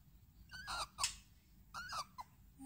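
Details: Rescued female barn owl kept by people, moulting with a stuck feather, gives soft squeaky calls: two short harmonic bursts, a pause, then two more and a brief chirp, quiet indoor background.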